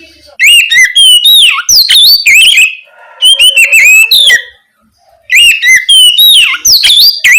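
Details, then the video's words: Oriental magpie-robin singing ngeplong at night, used to coax young spotted magpie-robins into song; three rich phrases of loud whistles, chattering chips and deep swooping slurs, separated by short gaps. "Pancingan Kacer ngeplong malam hari ampuh untuk merangsang Kacer trotol agar lekas nyaut bunyi"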